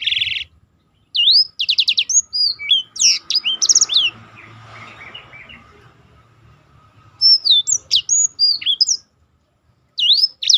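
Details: Black-throated canary roll song meant for training contest birds: a buzzy note, then quick bursts of high slurred whistles and fast trills, a quiet gap mid-clip, and singing resuming in two further phrases.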